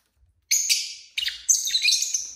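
A lovebird gives harsh, shrill chattering calls in three quick bursts, high-pitched and raspy.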